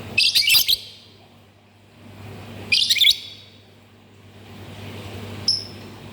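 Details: Lovebird calling in two brief, harsh, high chattering bursts about two seconds apart, then a single thin high whistle, with a low background hum.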